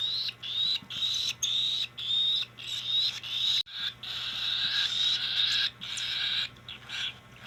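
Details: Cockatiel begging during hand feeding: harsh, raspy high-pitched bursts repeated in quick succession with short gaps, some bursts long and sustained, indoors with a steady low electrical hum.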